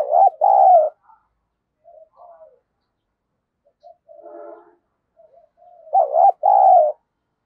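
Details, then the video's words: Decoy spotted dove used to provoke rivals repeats its low, hollow two-note coo twice, about six seconds apart, separated by soft muttered notes and a brief, fuzzy, layered sound. "Chim Cu Mồi, cu gay kich boi nhanh noi gù+kích bổi hàng ngày"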